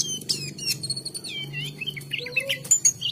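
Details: Oriental magpie-robin giving clear, thin whistles and twisting slurred phrases, some gliding downward, with a few sharp chips. A fairly strong low hum lies underneath.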